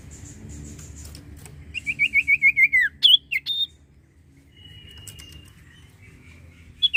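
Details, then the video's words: Sirtu cipoh, or common iora, giving a quick descending series of about seven pulsed whistles, followed by two sharp swooping notes and a faint thin tone, over low background noise. "sirtu cipoh gacor"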